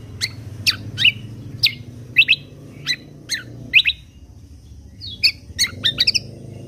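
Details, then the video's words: Lesser green leafbird delivering 'full tembakan kunti' song meant for training contest songbirds. Spaced, whip-like high notes for four seconds, then a pause and a quicker cluster of chirps and a short trill. "Masteran Kecial Kombok Full Tembakan Kunti"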